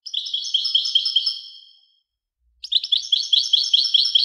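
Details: European goldfinch delivering a run of repeated bright, twittering notes that trails off, then after a short silence another quick jingling phrase begins.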